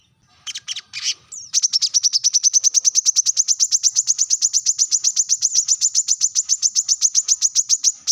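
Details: Brown-throated sunbird calling rivals: a few rough, buzzy opening notes, then a long, rapid, highly regular series of bright, high chips continuing to the end.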